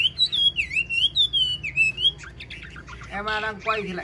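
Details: Wild-caught old Chinese hwamei with a fine singing voice, kept for sale, gives a rapid run of looping whistled notes rising and falling, then ends in harsher rasping, chattering sounds.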